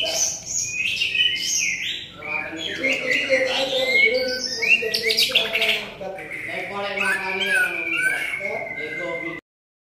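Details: White-rumped shama delivering a dense, energetic song of high whistles, sharp chirps and buzzy trills, mixed with low murmuring speech, ending abruptly.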